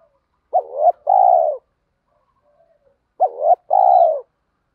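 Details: Two double-note coos from spotted doves, cock and hen, meant to get newly caught caged birds cooing. Each has a quick rising note and then a longer mellow falling one, separated by a silent gap.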